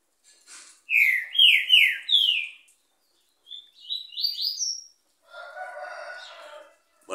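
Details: Green-winged saltator singing on a Monday around 10 in the morning: loud, clear whistled notes, each sliding upward, in two quick rising series, followed by a harsh crowing sound.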